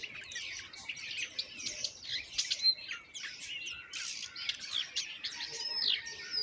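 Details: Begging from common myna chicks as the mother delivers moringa: a dense, continuous run of shrill, raspy squeaks and harsh chirps, with thin whistled upslurs near the end.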